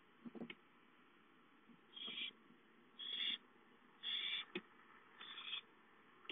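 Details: Owlets at home, dated 5-9-13, calling for food: a run of four or five raspy hissed screeches, nearly one a second, mixed with sharp clicks and thumps from the nest.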